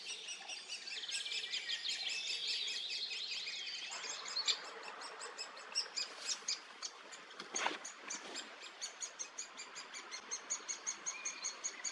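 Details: Great spotted woodpecker young being fed in Region Hannover, Germany, June 2022: busy high twittering at first, then thinning into a string of short, sharp, evenly spaced notes, roughly two each second, with one brief broader rustle.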